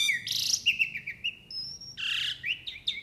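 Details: Jalak uret starling singing energetically, mixing harsh noisy bursts with twisting whistled phrases, a long steady high whistle, then another loud rasping burst followed by quick looping whistles.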